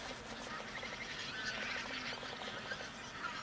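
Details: Pink-footed Geese from a large flock feeding on left-over grain near Verdal, Norway, October 2018; distant, blurred chatter of many geese, a steady wash of overlapping honks with few distinct calls standing out.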